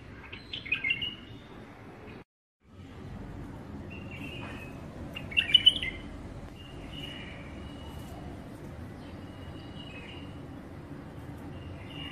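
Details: A tame bulbul gives short bright chirps and warbled phrases, some rising and some trailing off, over a steady low background hum.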